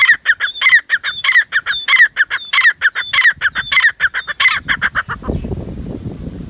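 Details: Black francolin giving a rapid series of harsh, grating notes with thin whistled overtones, roughly one and a half per second, fairly steady for five seconds, then fading into low rumbling background noise.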